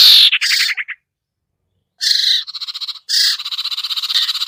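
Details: Sirtu, a hard-to-lure bird, in a lure recording: harsh buzzy bursts with a rapid stuttering trill in the first second, a pause, then long grating pulsed chatter.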